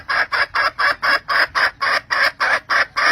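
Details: Red junglefowl hen calling to the rooster late in the season, giving loud rasping clucks in a quick, even series of about four per second, each note short and coarse.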